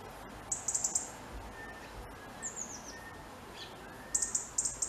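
A robin gives thin, very high notes: a quick burst of ticking notes, a couple of falling slurred whistles, then another rapid burst. A faint steady hum sits underneath.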